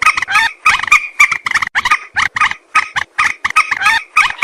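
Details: Common moorhen hunting call, known as jal morgi ki awaz: fast, steady chatter of harsh, nasal croaking notes, about three or four per second, almost without break.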